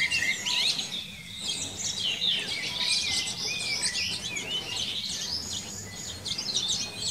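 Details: Common linnet recorded in a garden in Czechia during spring and summer 2021, with a male and female feeding their young: continuous rapid twittering of high chirps, trills and short slurred notes.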